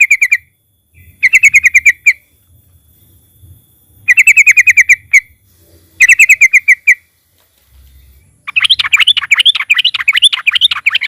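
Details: Loud trucukan (sooty-headed bulbul) lure for getting other birds to sing: repeated clusters of rapid, ringing chirps separated by pauses of about two seconds, ending in a long stretch of fast, wavering warbles.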